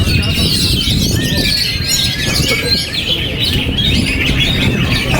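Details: Oriental magpie-robin, a kept bird, still singing while buffeted by strong wind; quick sweeping whistled notes and scratchy twitters run without pause over constant gusty rumble.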